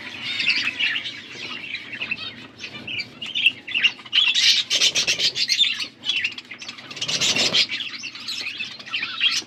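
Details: Blue budgerigars feeding each other, recorded August 13, 2024: dense, continuous chattering chirps and squawks, busy and overlapping, with louder bursts of scratchy warbling around the middle and end.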